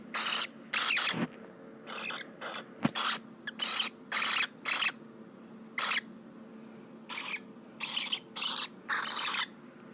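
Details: Cockatiel of unknown sex gives a string of short, harsh, hissing bursts at irregular intervals; owner is unsure what the sound means.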